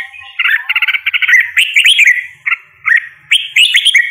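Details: Red-whiskered bulbul song. A quick series of chattering notes leads into bright, swooping whistles, then short, separate whistled notes with pauses between them.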